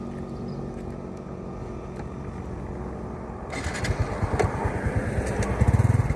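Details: Low rumbling vehicle engine growing louder and pulsing toward the end, with no animal calls.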